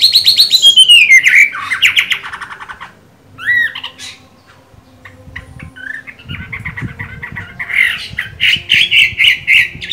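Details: Caged Chinese hwamei in moult, green-bean eyed, singing strongly: a loud descending trilled whistle, pauses with scattered notes and rustling, then a rapid pulsing series of buzzy whistles repeated about four times a second.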